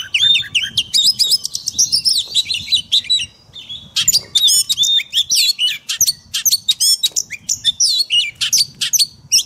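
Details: Dense, almost continuous Oriental magpie-robin 'forest voice' song used for daily training of caged birds, full of rapid high chirps, trills and whistled flourishes, over a faint low background hum.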